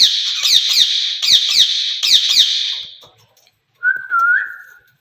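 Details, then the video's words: Two ringneck parrots kept in a cage, talking to each other in Urdu or Hindi. Three seconds of rapid, rasping screeches in quick pairs, then a pause and a wavering, sustained whistle. "Speaking Parrots in Cage"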